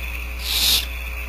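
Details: Single drawn-out, breathy hiss from barn owl owlets at a Starr Ranch nest as the female feeds them, swelling and fading within half a second against constant low hum.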